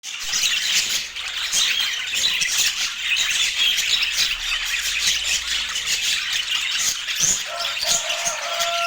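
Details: Budgerigars chirping during their daily food routine, filmed in natural Scandinavian light: dense, continuous high chatter of rapid overlapping chirps and squawks, with a steady tone appearing near the end; no music or speech.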